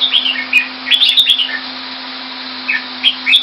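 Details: Red-whiskered bulbul kept in a cage in Singapore, Thai style, recorded in February 2018. It gives clipped, liquid whistled phrases in two loose clusters, then a pause, and a few more notes near the end, over a constant low hum.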